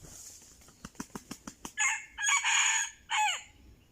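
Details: Red junglefowl lured with a decoy crows: a run of sharp, quick ticks gives way to a loud, harsh crow broken into three rising and falling segments, the last one dropping away at the end.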